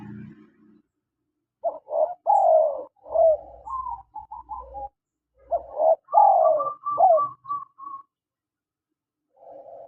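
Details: Spotted dove male and female calling: phrases of short low coos leading into a long, slurred, falling coo, two phrases roughly four seconds apart, with a faint low hum beneath the first.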